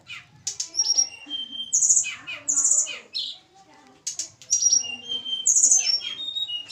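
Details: Tledekan gunung from Java, a captive bird being paired with a mate; high thin whistles alternate with sharp descending slurs and buzzy chirps in quick bursts, a brief pause, then the pattern returns.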